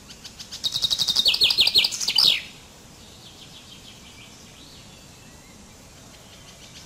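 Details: A common chaffinch sings one bright, high phrase: a quickening run of trilled notes that drops into a flourish at the end, followed by quiet.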